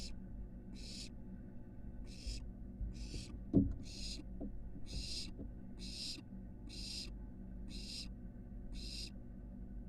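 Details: Barn owl nestling exploring from the porch of its nest box to the roof, University of Florida camera: about ten evenly paced raspy hisses nearly a second apart, one sharp knock midway, low hum throughout.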